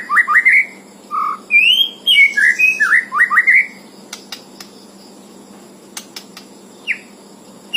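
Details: Rapid bursts of bright, looping whistles and slurred notes from a white-rumped shama for about four seconds, followed by scattered clicks and a couple of lone upslurred notes over a constant low hum.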